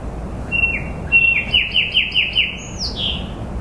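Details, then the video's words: Short bird song: two introductory whistles, then a brisk run of repeated downslurred notes ending in a high, swooping, falling phrase, with a soft continuous rumble underneath. "Bird chirping bird singing bird sounds"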